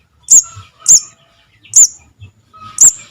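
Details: Javan cuckoo chick call used to lure birds into traps: four sharp, very high, thin squeaks, each brief and spaced roughly half a second to a second apart in quiet.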